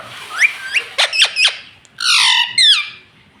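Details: Pet rose-ringed parakeet talking: a few short rising chirps, then sharp downward-sweeping squeaks, and finally two long, loud, harmonic-rich squawks with bending tones.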